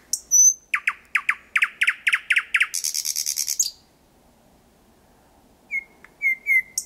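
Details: Thrush nightingale singing in the dark at 01:23, 8 May 2020, Kiili parish, Estonia, only 4–5 m away; high whistles, a run of loud repeated chock notes and a fast buzzy rattle, then quieter whistled notes after a pause.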